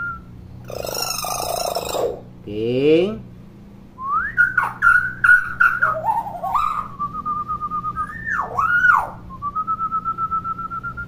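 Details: Talkative common hill myna opens with a harsh, rasping burst, then a stuttering run of clear whistled notes that dip and rise, ending in a steady pulsed whistle. Faint hum throughout.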